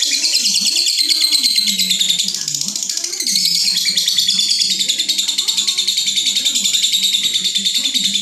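A lovebird pours out a long, unbroken stream of shrill, rapid chattering, with a low voice murmuring underneath.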